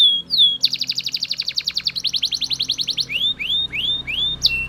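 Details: Belgian canary in full song, strong repeated trills at several speeds followed by a run of rising, upward-curving whistled notes, with a faint low hum beneath.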